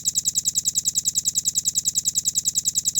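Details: Velvet-fronted nuthatch (rambatan paruh merah) in a tight, clear, rapid-fire masteran song: an unbroken trill of sharp, high-pitched notes, about eight per second, steady in pitch and loudness throughout.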